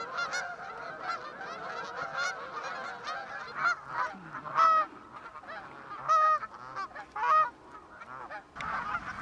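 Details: Canada geese passing overhead in West Somerset around the autumn equinox, heading toward Exmoor; loud separate honks rise and fall in bursts, some clear and ringing, with softer calls between and a quiet gap near the end.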